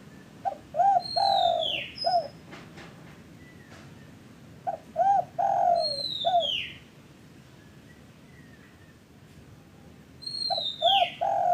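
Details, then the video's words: Spotted dove call used as a lure for caged doves that have stopped calling. A low cooing phrase of two short notes, a long drawn coo and a clipped ending repeats three times, overlapped by loud, high, descending whistles from another bird. "pancingan derkuku TEKUKUR bahan, macet, malas cepat BUNYI"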